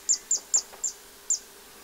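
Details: A zitting cisticola in spring, 3 April 2024, at the Séné Nature Reserve in Morbihan, France, gives sharp, very high 'zit' notes, each clipped and repeated about every quarter second, with a brief pause before the last; faint background hiss.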